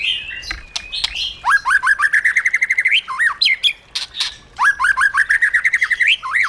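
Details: White-rumped shama song in the wild style, for training caged birds. Rapid series of identical short whistled notes repeat like a trill, broken by sharp clicks and upward flourishes, two trilled runs in all.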